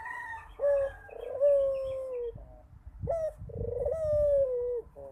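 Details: Barbary dove cooing persistently: two long, low, smooth phrases, each rising slightly then sliding gently down, with a short break between them.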